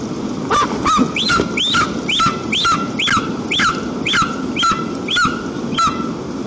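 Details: White-tailed eagles at their nest in the Almetyevsk region, Tatarstan, Russia, on the afternoon of 1 September 2022, during a rare daytime visit by the whole family of three on a windy day. About eleven sharp yelping whistles come roughly two per second, each rising then dipping.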